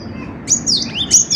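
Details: Cinereous tit (gelatik batu) giving a few piercing high notes, a short sliding phrase repeated twice within a second, against a faint low hum.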